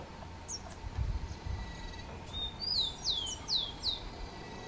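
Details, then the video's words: Rufous-collared sparrow in an urban setting at Lídice, singing a clear high whistled note followed by four descending slurred notes in quick succession, against a faint low background hum. "Lindo canto do tico-tico"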